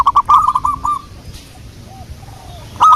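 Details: Local wild zebra dove lure song: a quick run of rolling, trilled coos lasting about a second, a quiet gap, then the start of another loud phrase.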